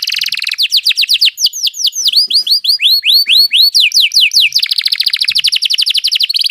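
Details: Canary rolling song (ngeroll) for tutoring other birds: a fast series of loud down-slurred notes repeated several times per second, shifting into a continuous dense buzzy roll.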